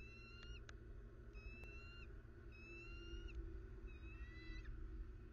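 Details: Bald eagle in Southwest Florida, recorded 21 December 2019: four drawn-out, thin whistled notes, each ending in a slight upward flick, spaced about a second apart over a steady low rumble and faint constant hum.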